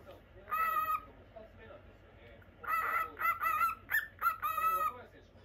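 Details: Pet lutino cockatiel kept indoors in a cage, calling in harmonic, slightly nasal chirps: one short burst, a pause, then a rapid run of about seven clipped notes with a faint low background hum.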